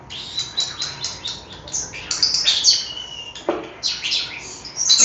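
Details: Three pet European starlings chatter around their owner while she cleans their bird bath fountain, in a busy run of high whistles, clicks and squeaky rattling notes, with a sharper burst near the middle.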